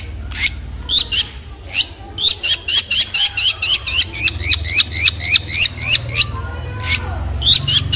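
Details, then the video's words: Long-tailed shrike, a large noisy shrike of open Asian habitats, singing: sharp, high chirped notes, each sliding quickly, repeated about four times a second in an irregular run with brief pauses, over a low steady hum. "Long Tailed Shrike With Beautiful Sound"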